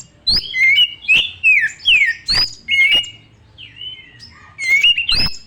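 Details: Young wild Oriental magpie-robin repeating short, loud whistled phrases about every half second, each opened by a sharp click, with a brief quieter gap before the song resumes.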